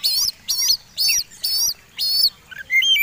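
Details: Oriental magpie-robin's combative song, used as a lure for other birds: five harsh, buzzy chattering bursts spaced roughly half a second apart, closing with softer whistled notes.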